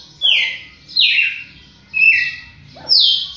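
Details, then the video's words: Champion red-cowled cardinal giving four rich whistled notes, each dropping in pitch, spaced less than a second apart, with a low murmur underneath. "Galo de campina campeão"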